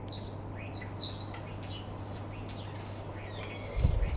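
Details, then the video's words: Common starling singing in a back garden on 2 February 2015: a jumbled run of high, slurred whistles and short buzzy, clicking notes over a steady low hum. "zingende spreeuw"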